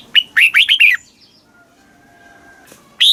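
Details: Red-whiskered bulbul song played to stimulate caged birds in Thailand: a quick phrase of four to five loud, slurred, bubbly whistled notes in under a second, a pause, then one more rising note; faint background hum.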